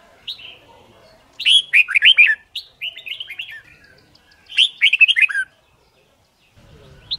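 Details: Red-whiskered bulbul singing in competition style for song training: repeated bursts of loud, bubbling whistled phrases, several notes a second, separated by short pauses, with a faint low rumble near the end.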